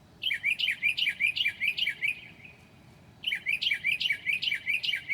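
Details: Northern mockingbird singing at 2 a.m. on a July night, mimicking other birds: two rapid bursts of bright, bouncing chirped notes, each burst about two seconds long, separated by a brief pause.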